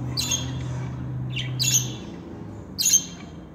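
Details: Two or three harsh, bright squawks from pet budgerigars, male and female talking birds, separated by pauses, with a low hum that stops partway through.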